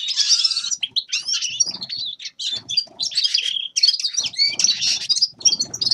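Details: Lively Grey-crowned goldfinch song: bright, liquid twittering with quick slurred notes and rapid trills, in bursts separated by very short gaps.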